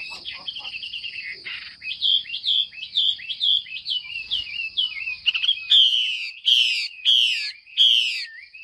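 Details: Female Chinese hwamei calling to stimulate males to sing: a rapid run of slurred whistled notes, then loud downward-sweeping whistles repeated about every half second near the end, with a steady high tone throughout.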